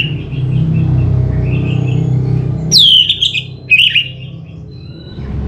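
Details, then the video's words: Orange-headed thrush singing a lure song. A bright, falling whistle is followed by a short buzzy warble, with low humming noise before and during. "Suara ANIS MERAH Cepat Gacor Pancingan Jitu"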